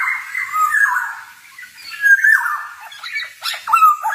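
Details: Male black-naped oriole singing busily in forest-style vocalising, used as a training recording for songbirds: harsh, nasal slurred phrases that drop in pitch, with a long drawn note, a short pause, then scratchy clipped notes.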